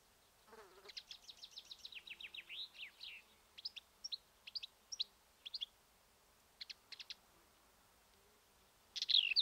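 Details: Black-eared Wheatear filmed near Ermita de la Virgen de la Sierra, Cabra, Andalusia, Spain; a fast chattering series of high scratchy notes, then spaced clicking pairs and a final squeaky burst.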